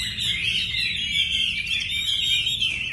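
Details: Wambi bird delivering a steady, high-pitched chattering warble, quick twittered notes flowing without a pause for the whole three seconds.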